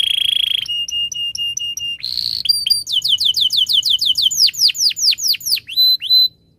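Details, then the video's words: Caged canary in long 'gacor' song, a lure to prompt other canaries to sing: a buzzy opening note, a short repeated pure chirp, a rough burst, then a fast series of sweet, downslurred whistled notes quickening into a rolling trill. "kenari gacor panjang Cuit Cuit EMOSI, Pancingan Kenari Paud Belajar Bunyi"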